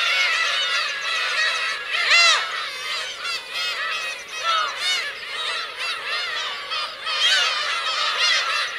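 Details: Black-tailed gulls, adults with chicks, at Kurosaki coast, Teuri Island, Hokkaido, Japan, on 17 June 2021; many birds crying at once, with harsh mewing notes that rise and fall and swell in loudness every second or two.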